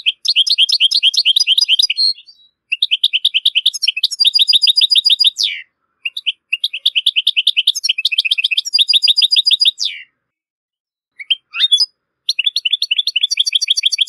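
European goldfinch singing long, fast, tinkling phrases of liquid twitters and buzzy notes, high-pitched, with brief pauses between bursts; nothing else heard.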